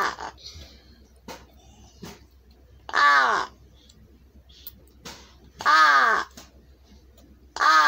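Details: A large-billed crow, a bird its owner is trying to teach words (such as "ohayo"), gives three loud, harsh, nasal caws about half a second each, spaced a few seconds apart, with faint clicks and soft knocks between.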